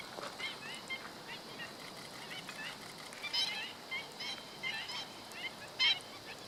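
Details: Black-winged stilts recorded 17 August 2013, giving sharp, yapping kek notes, some doubled or clustered, scattered irregularly over a steady hiss of background noise.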